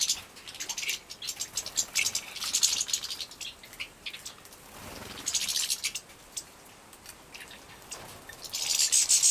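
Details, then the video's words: Captive-bred young European goldfinches being fed in Poland in 2017. They give bursts of high, hissing, chattering begging calls that flare up and fade between pauses, over a faint background hiss. "Młode szczygły hodowlane Carduelis carduelis breeding"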